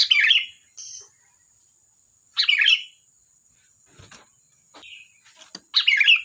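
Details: Chatty kutilang, or sooty-headed bulbul: three loud, gurgling warbled phrases at the start, middle and end, with a short faint whistle between, scattered clicks and a steady high whine in the background.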